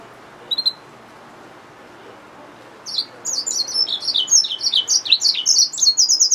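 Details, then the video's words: Yellow-fronted canary mule, a hybrid finch: after a short chirp and a pause, a bright high twittering song begins, with quick varied notes building into rapid repeated trills. "Yellowfronted canary mule | Hybrid Finch | Nature Bird sounds"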